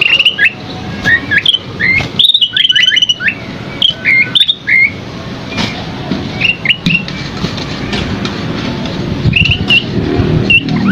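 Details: Scaly-crowned babbler in a masteran recording. A dense run of bright whistled slurs fills the first seconds, then scattered single notes follow. Low background rumble grows stronger toward the end.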